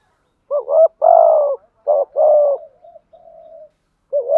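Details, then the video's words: Spotted doves, male and female, cooing to lure rival birds in to fight: deep hooting coos, one short and one long, then another pair, followed by soft quiet trailing notes and a fresh coo at the end. "cu gáy thúc gù gáy gọi bổi nghe rất nhanh về cội đấu"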